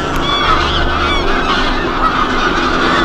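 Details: Geese on the Kromme Rijn in the Netherlands in December snow, giving nasal, harmonic honks that rise and fall, partly overlapping, over a steady low rumble that is loudest in the first second.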